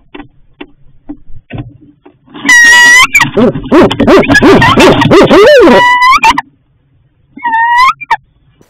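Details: Female barred owl calling for food from her nest at night: low soft hoots, then loud, strained, harmonic whining cries that rise and fall in a rapid run of wavering wails, a brief pause, and one more whining cry.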